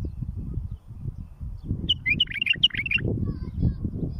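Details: Song of a bulbul used for teaching young birds and raising fledglings: a short, lively phrase of clear whistled and chirped notes lasting about a second, set against constant low rumbling noise.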